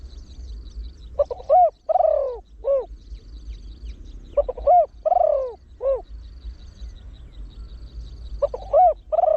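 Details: Trained spotted dove with a deep voice, cooing in the throw-one-kook, rapid-crow style used to lure wild doves. Three bouts of low, hollow, rounded coos, three to four notes each, about three seconds apart, over a steady low hum.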